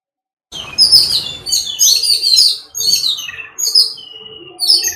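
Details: Jungle babblers (Argya striata) give harsh, squeaky chattering in bursts about once a second, with several scratchy high notes overlapping like a small noisy group.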